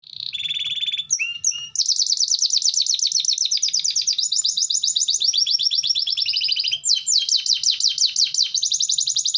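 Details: Long gacor-style canary song used to prompt other canaries into song; a brief slurred opening gives way to dense, rapid, high rattling trills that run on without pause and change tempo several times.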